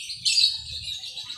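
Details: Male lovebird kept as a pet, being conditioned to sing, calling less than usual as dusk approaches; a brief burst of rapid, high, buzzy chirps and twitters, with faint low background rumble.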